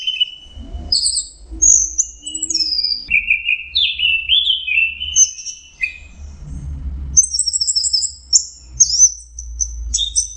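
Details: Orange-headed thrush (anis merah), a songbird praised as melodious, singing a varied run of clear whistled phrases, some sliding up or down and some high and thin, with short pauses and a steady low hum beneath.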